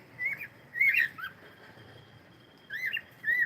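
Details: Singing cockatiel giving clear whistled phrases that swoop up and down, a couple of linked notes, a pause of over a second, then more bright rising whistles to the end.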